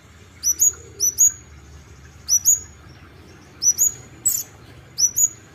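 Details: High paired upslurred chips from an olive-backed sunbird (kolibri ninja) in gacor isian style, each pair thin and sharp, repeated at irregular intervals of about a second or more.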